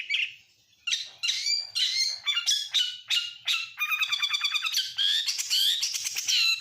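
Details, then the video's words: Oriental magpie-robin of the Kacer Nasional type singing a full song packed with imitations of lovebird, canary and prinia. Rapid bright notes, slurs and dense trills follow one another with short pauses. "Masteran burung KACER FULL ISIAN | Kacer Nasional isian lovebird kenari prenjak"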